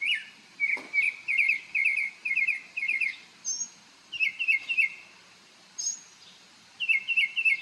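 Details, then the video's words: Morning song from a bird dancing on Marco Island, Florida: bursts of quick buzzy trilled phrases with short pauses, plus thin high notes above. "bird sings and dances in the morning"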